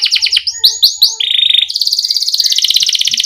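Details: Lively canary song meant to coax young canaries into singing: rapid rising chirped notes followed by long, steady, high rolling trills.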